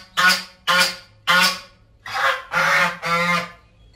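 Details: Backyard geese give a run of six loud, harsh nasal honks, the first three short and evenly spaced, the last three longer and running into one another.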